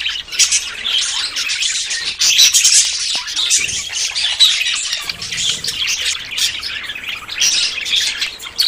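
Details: Budgerigars courting ahead of breeding produce lively twittering and chirped warbles from many birds at once, rising and falling in loudness with brief lulls.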